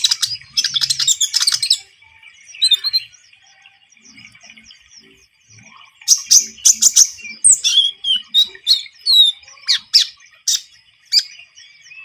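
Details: Javan munia in vigorous song, intended as a lure for trapping birds: a dense burst of high chirping, a quieter spell of faint squeaks, then a renewed run of sharp, spaced chirps.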